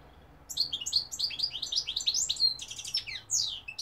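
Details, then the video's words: European goldfinch (mqnin) in continuous, fast, liquid twittering song, high chattering notes running one into another for over three seconds. "goldfinch p throat sign 2021 مقنين الحسون"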